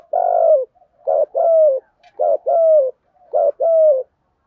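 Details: Decoy spotted dove cooing in a driving style meant to provoke and lure wild doves: four low, mellow phrases, each a short note followed by a longer, slightly falling coo, repeated about once a second in a quiet setting.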